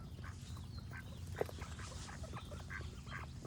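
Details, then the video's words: Quacking duck, with birds singing nearby: a dozen or so short, nasal quacks spaced unevenly over a few seconds, a sharp click midway, and a heavy low rumble throughout. "Cute Duck Quack Sound Effect with Birds Singing"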